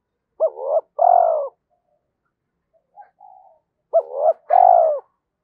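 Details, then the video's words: Spotted dove in thổ voice style calling to challenge rivals and draw wild birds: two paired phrases, each a rising coo and a rolling downward coo, separated by soft quieter notes. "cu gáy thúc đấu, bổi nghe nhanh về cội"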